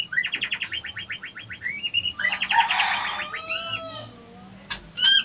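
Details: Female white-rumped shama lure meant to make other females ready to breed; a fast even series of repeated chirps, then a dense rattling burst and soft whistles, over low background hum.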